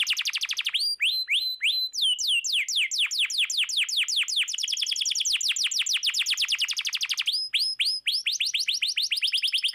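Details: Canary master song for prompting silent birds to sing: slow paired rising whistles with a high overtone, then a long fast trill of falling notes, returning to the spaced whistled phrases near the end.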